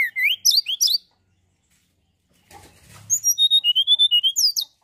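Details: Energetic mountain tailorbird song for prompting other birds: quick high chirps, a pause, a short rustle, then a steady train of clear whistled notes stepping downward, ending with sharp rising chirps.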